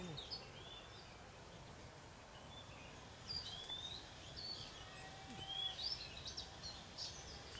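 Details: In nesting season in Vietnam, a mother Oriental magpie-robin returns near tree hollows and gives short, high, thin whistled 'quit' notes and brief upslurs, scattered irregularly over steady outdoor background noise.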